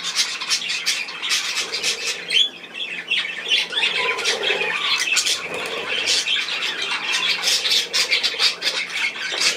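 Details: Budgerigar flock on 10 June 2024 with ongoing harsh squawks and twittering, dense overlapping calls and a softer lower warble around the middle.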